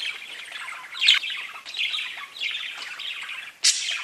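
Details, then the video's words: Chattering parakeets, a low steady stream of scratchy chirps and warbles punctuated by a sharp squawk near one second and another loud burst near three and a half seconds. "Parakeets Bird Chirping and talking to each other"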